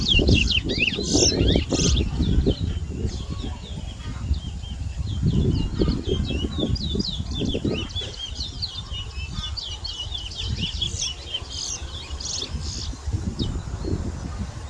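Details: Towa towa seed finch singing in a bird whistling competition in Berbice, Guyana, 2022: rapid, dense runs of short high chirps and trills, repeated throughout, over a steady low rumble and background noise from the ground.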